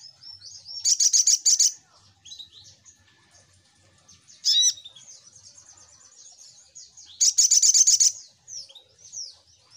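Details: Sogok ontong, the little spiderhunter, as a lure sound. Two loud bursts of rapid, piercing high notes are separated by one sharp downslurred call and a run of quieter chips.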